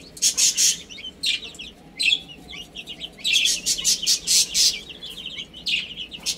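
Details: Little chicks chirp while playing and eating: loud bursts of shrill, piercing peeps, several chicks calling together in quick clusters with brief pauses between. Crisp broadband taps sound between the calls.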